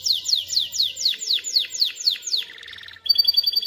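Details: Canary song intended to teach chicks to sing and prepare females for mating: repeated descending whistled sweeps about three per second, a soft buzzy trill, then a crisp high rapid trill.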